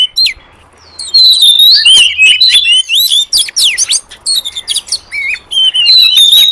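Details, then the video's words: Wild oriental magpie-robin lure song: busy, loud mix of whistled slurs, harsh chattering and sharp clicky notes in rapid bursts, with a faint low hum in the background. "Suara pikat burung kacer liar hutan ampuh"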